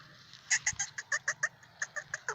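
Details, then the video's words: Black francolin, described as a Sindhi patha, giving a quick series of about eleven short, harsh, clicking notes over two seconds, evenly spaced with a brief gap midway, over a low steady background hum. "Kala Tetar Awaz Sindhi Patha"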